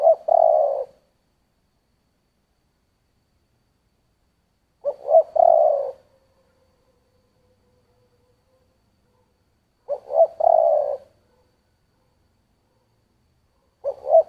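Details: Spotted dove cooing in the 'giọng thổ' style: a full phrase of short stuttering notes and longer coos, repeated about every five seconds with silent gaps, clear and dry with no other sounds.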